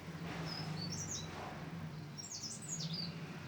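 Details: High, sweet warbling of a mountain leaf warbler: two quick bursts of thin, rising and falling chirped notes separated by a short pause, over a constant low droning hum.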